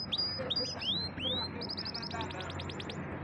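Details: Champion singing canary delivering clear rising whistles followed by a rapid, evenly repeated trill of bright notes, loud against faint low hum.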